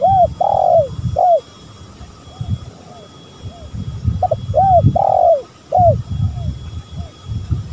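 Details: Lure recording of spotted doves, male and female: repeated hoarse coo phrases, each a stuttered start, a long burred coo and a clipped final note, with soft echoing coos between them and low thumping noise throughout.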